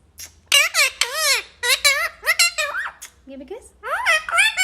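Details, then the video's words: Pet talking parrot chattering in quick, high-pitched, harmonic syllables that arch up and down like words, running almost continuously with brief pauses. "Parrot sound ❤️बोलने वाला तोता"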